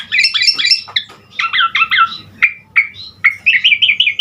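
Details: Vigorous full isian song from an Asian pied starling meant to set starlings singing: dense tumbling chatter at first, then paired wavering notes and a quick run of rolling whistled phrases, loud and close.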